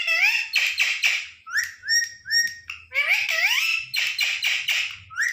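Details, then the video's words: Indoor pet parrot, offered grapes, lets out a string of harsh rasping squawks mixed with short, clear rising whistles, calling almost without pause. "parrot talking| parrot sound"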